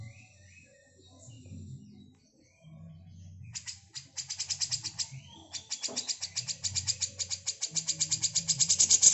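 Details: Female grey-cheeked bulbul used to tutor magpie-robins: after soft scattered notes, a long fast rattling chatter of dry, buzzy pulses builds steadily louder over five seconds, over faint low hum.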